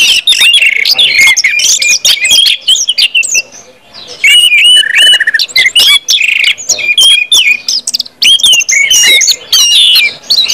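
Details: Orange-headed thrush 'ngeplong' song from a lure compilation; energetic mix of clear whistles, rapid chirps and slurred phrases, with a short quieter lull near the middle.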